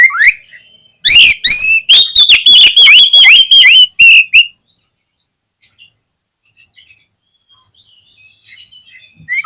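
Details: Oriental magpie-robin lure song meant to spur other magpie-robins into full singing: a rapid, loud burst of ringing repeated whistled notes, about three per second, for three seconds, then faint distant twittering.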